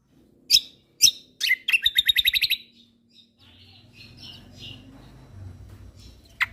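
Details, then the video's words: White-eye known as kecial kombok, from Lombok, in a songbird training recording. Two separate sharp chips lead into a rapid descending trill of clear notes. Softer scattered twitters follow over a low rumbling background. "Masteran Burung Kecial Kombok Lombok Gacor Full Tembakan Mewah"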